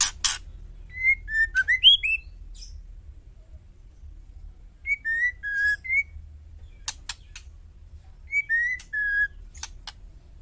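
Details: Female White-rumped shama call meant to make males sing: phrases of quick, sliding whistles, some rising and falling, separated by pauses and mixed with harsh, rasping chack notes.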